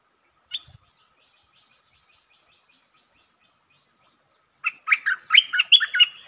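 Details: Streak-eared bulbul recorded 13 February 2023 performing varied song styles, long and doubled songs among them; after one isolated chip and a quiet pause, a rapid run of bright, bubbling, warbled notes fills the last second and a half.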